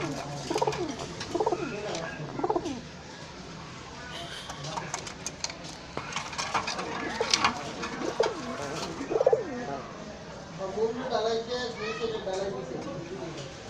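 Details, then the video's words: Several pigeons, females and mated pairs, cooing: low rounded rising-then-falling coos repeated three times in the first seconds and again later, over a steady background hum with scattered clicks and rustling. "কিছু মাদি ও জোরা কবুতর"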